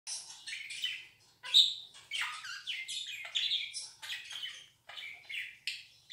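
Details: Pet budgerigar giving a cheerful 'laughing' chatter indoors: a continuous run of scratchy, warbling notes with short squeaks and clicks, broken by brief pauses, all high-pitched.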